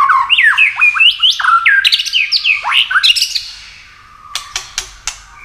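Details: White-rumped shama singing 'tạch' contest song with tail flicks to rouse birds to sing; fast chain of rising, looping whistled notes and chatter for about four seconds, then a few isolated sharp clicks.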